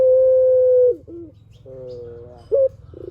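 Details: Spotted dove lure song: the tail of a long flat coo sliding down, a short low note, a softer fainter coo, then a sharp upward note before the next pulsed rattle.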